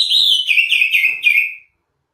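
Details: Greater green leafbird (cucak ijo) singing a clear whistled phrase of short slurred notes that step down from high to lower pitch over about a second and a half, then fall silent.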